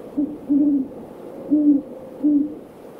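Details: Evening field recording of great horned owls in a backyard, with four deep, soft hoots within three seconds: a short note, a longer one, then two more spaced evenly apart over a low ambient rumble.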